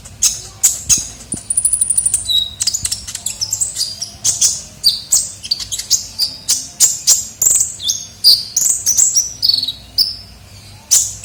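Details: Sunbird (kolibri ninja) in full voice for luring birds: dense run of shrill, high chirps and thin whistled slurs, a fast buzzy trill near the start, notes coming several per second throughout.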